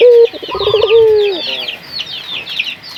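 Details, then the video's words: Local puter dove used as a lure for other doves. A short low hoot, a quick stuttering roll and a steady coo sliding down at the end, then only high, dense chirping of small birds for the rest. "Pancingan burung puter gacor, melatih burung puter lokal agar cepat gacor"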